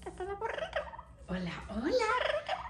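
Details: Pet Amazon parrot making crying, quarrelling noises over its owner: a run of nasal, wavering squawks and harmonic wails, rising and falling in pitch, ending in a longer upswept cry.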